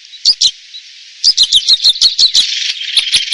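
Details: Red crossbill song: sharp, high chip notes given in a rapid, slightly uneven series of about a dozen, with a soft hiss in the background.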